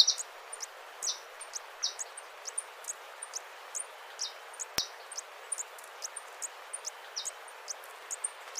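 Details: Crimson topaz, a hummingbird, giving short, high, sharp chip notes in rapid irregular series, several per second, with a single loud click near the middle and a steady hiss of background noise.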